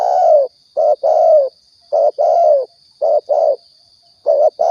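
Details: Spotted dove cooing as a trapping and hunting lure in Riau: repeated low throaty coos grouped short then long, about a phrase per second, with a constant faint high-pitched whine behind.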